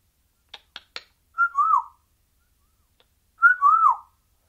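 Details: Lone parrot kept in a cage chattering sporadically: three quick dry clicks, then a pair of whistled notes that dip and fall, repeated about two seconds later, with silence between.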